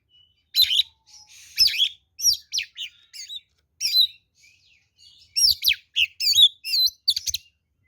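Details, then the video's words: Oriental magpie-robin (kacer) fighting song used as a lure; scattered whistles and squeaky notes build into a dense burst of looping, varied whistled phrases near the end. "SUARA BURUNG kacer gacor NGEPLONG TARUNG ini paling AMPUH buat PANCINGAN kacer NYAUT EMOSI"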